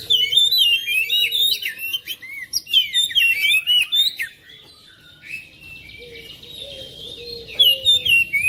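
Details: Caged oriental magpie-robin singing at home, used to stir a lazy bird into song: dense run of rich whistles and chirps for four seconds, a quieter pause, then low whistled notes and renewed chirping.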